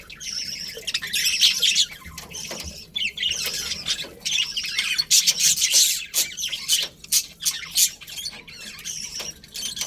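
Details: ['Budgerigars in a colony that includes a breeding pair give dense, overlapping high chirps and chatter in rapid bursts, with short quieter gaps between loud flurries.']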